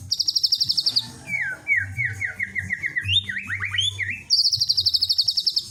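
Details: White-rumped shama provocation song: rapid high pulsed trills framing a slower middle passage of mid-pitched, repeated rising-falling whistles and quick twisting notes, over a faint low hum.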